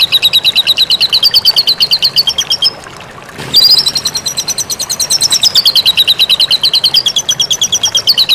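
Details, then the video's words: White-rumped shama in a tutor recording for training songbirds: a fast series of sharp, high repeated chirps, about three each second, sliding slightly up and down, broken by a short pause and a brief noisy burst midway. "Masteran murai batu"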